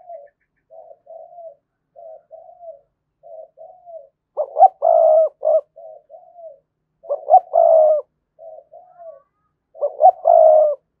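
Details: Spotted dove cooing as a decoy to make wild doves coo back. Soft low coos come first, then louder, emphatic multi-note phrases that recur about every three seconds. The background is quiet.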